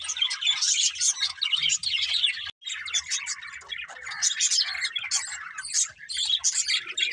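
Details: Budgies chirping in a group, lively high warbles and tweets with a brief break midway, soft low rumble underneath.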